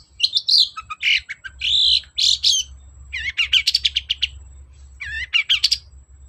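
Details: Energetic long-tailed shrike song for coaxing silent birds: loud scratchy squeals and sustained buzzy notes, then a quick series of rising chirps repeated several times with short gaps.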